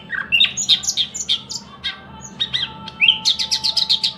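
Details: A thrush nightingale delivers a fast string of rich, rising and falling whistled notes, a short pause, then a quick series of loud, evenly repeated sharp notes, with a faint steady tone underneath.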